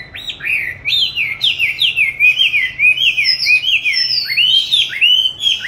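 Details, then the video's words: Caged oriental magpie-robin during song training, hung in an ideal spot, recorded 22 March 2021 after being kept since 29 July 2020. It gives a rich, unbroken stream of swooping whistles and fast rising warbles. "con than chuyền nuôi 29-7-2020(clip quay 22-3-2021) treo chỗ lý tưởng luyện hót"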